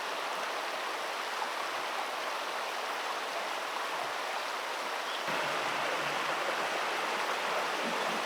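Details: Loud, continuous rushing of water like a stream, growing slightly stronger about halfway through, with no animal call standing out.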